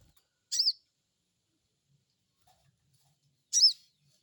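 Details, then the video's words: Two loud, rasping, high crecet chirps of a crested jay, three seconds apart, used as a lure to stimulate a new bird to answer; otherwise quiet. "Crecet crecet,,pancingan burung sogon bahan"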